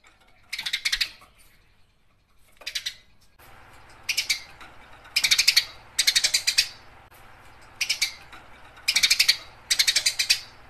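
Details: Eurasian tree sparrow in gacor fighting-style chatter for training songbirds: about eight bursts of quick, rattling, high chirps, evenly spaced every second or so, after two short opening bursts.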